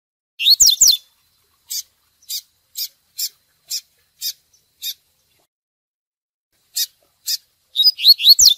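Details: Double-collared seedeater giving the energetic "tui tui" training song. Two quick falling whistles lead into evenly spaced crisp high chips, then a pause, then more chips and a closing flurry of slurred notes.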